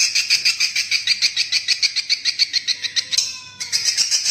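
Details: Roosting lure call of swiftlets: a continuous train of rasping, high chirps pulsing about three times a second, briefly dropping away near the end before resuming.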